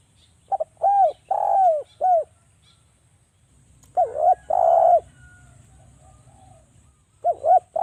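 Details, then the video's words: Javan spotted dove calling as a lure to set other doves cooing: soft, hollow coo phrases, a short double note followed by longer falling coos, repeated in three groups with pauses between. "DERKUKU JAWA suara rapat TAJAM,pancingan agar BUNYI jadikan burung DERKUKU BUNYI GACOR NGALAS"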